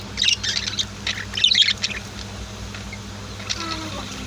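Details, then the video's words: Caged budgies and lovebirds indoors give a quick burst of sharp, high chirps during the first two seconds, then fall to softer scattered twitters, with a low constant hum behind. "Sweet Bird Chirping Sounds | Relaxing Voice of My Pet Birds"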